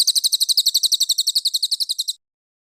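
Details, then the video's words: Training master song of a cililin for contest birds: a dense burst of piercing, high chirps at roughly nine per second, fading slightly over two seconds before stopping abruptly into silence. "Masteran Cililin Premium: Suara Gacor Juara untuk Burung Lomba!"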